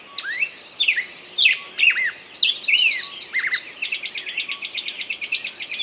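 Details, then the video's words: Bird singing: a loud, varied stream of sharp chirps, downslurred whistles and rapid high trills, ending in a fast repeated twittering series, with a quiet, clean background. "пение птицы"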